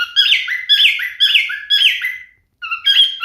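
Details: Singing male cockatiel gives four loud, harsh, squawky whistled phrases that slide downward, about two a second, then a short silence and two further whistled notes.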